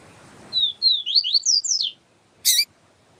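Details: Yellow-bellied seedeater in siu-siu song style, with a female calling, used as a tutor recording to stimulate males: two high whistled notes, then quick descending slurred notes for about 1.5 seconds, followed by a sharp click.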